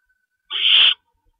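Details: Owl at night, 11:50 PM on March 22, 2012, as a rabbit is delivered as prey; one harsh, hissing screech lasting about half a second, otherwise quiet.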